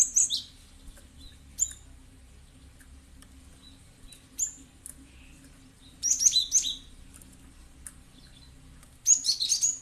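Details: Cinereous tit (gelatik batu) used as a lure to get other birds calling back; scattered single high chirps, then two dense bursts of bright, rapid, slurred notes around six and nine seconds, over a light hum.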